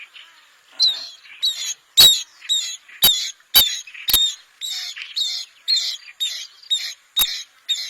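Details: Bronze-winged jacana uttering a rapid chattering series of short, sharp nasal notes about two per second, interspersed with several loud clicks.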